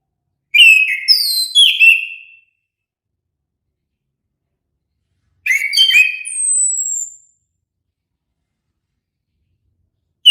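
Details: Anis kembang, the orange-headed thrush, gives two short melodious whistled phrases several seconds apart, the second ending in a thin, high, descending whistle; no other sounds.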